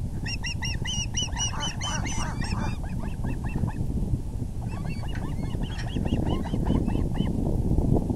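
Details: Male osprey arriving at the nest with a big fish, 6:30 pm EDT on April 6, 2020: a loud, rapid series of ringing, harmonic chirps, then looser, shriller cheeps, all against constant low wind roar.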